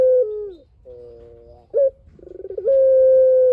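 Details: Long-voiced collared dove coo meant to draw answers from other doves: a soft falling hum, a steady droning note, a brief upward note, a stuttering buzzy ramp, then a smooth, level, drawn-out coo.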